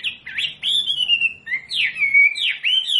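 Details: Masteran training recording of a wambi singing for caged birds to learn: clear, swooping whistles that dip and climb sharply, with long level notes stretched between the upward sweeps.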